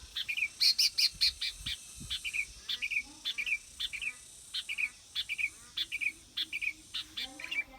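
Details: Sooty-headed bulbul repeating short bubbly whistled phrases, each dropping in pitch, roughly every half second to second, over a faint steady insect-like hiss.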